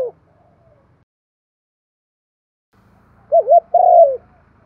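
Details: Spotted dove decoy bird giving thúc and calling coos in the thổ pha đồng voice style, used to stimulate and train wild-caught doves; after a long quiet gap, one phrase of two quick wavering notes and a drawn-out falling coo.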